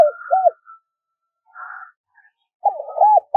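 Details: Spotted dove lure bird calling at wild doves; the tail of a cooing phrase, a faint hum in the middle, then another loud run of arched hollow coos.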